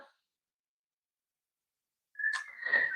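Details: Pet parrot whistling in the background of a home live stream: after near silence, a short, steady, clear whistled note held for under a second, with a brief breathy burst at its start.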